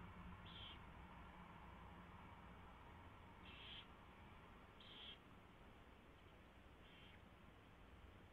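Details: Owl in a nest box, early morning of 24 February 2016 at 4:21 AM, during mouse feeding; four short rough high-pitched bursts spaced one to three seconds apart, with low background hum.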